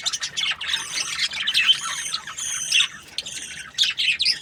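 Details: Australian budgies chirping in short, bright bursts of squeaky, warbled notes, rising and falling in loudness with small gaps between clusters of calls.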